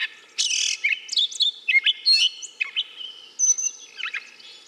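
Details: Gray catbird pouring out a fast, rambling medley of harsh squeaks, slurred whistles and chips, notes jumping between high and mid pitch with scarcely a break, set against a quiet steady background hum.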